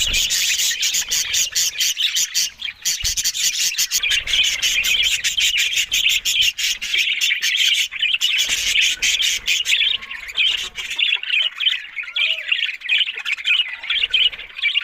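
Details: Budgerigars chatter in a continuous, busy warble of chirps and buzzy twitters. Sharp rapid clicks crowd the first ten seconds, then the chatter grows sparser and softer.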